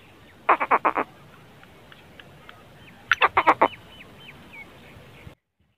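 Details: Black francolin giving harsh, grating calls: two bursts of four to five rapid, clipped notes, the second starting about three seconds after the first. Faint thin whistles from other birds sound between the bursts.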